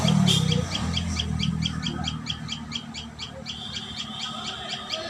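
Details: Common tailorbird at its nest: a series of quick, high chipping notes repeated several times a second, partly masked by a low hum and rustling that is loudest at the start.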